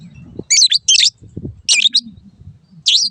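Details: Long-tailed shrike master song for caged birds: a few clipped bursts of high, squeaky, twisting notes with short pauses, over low background rumble.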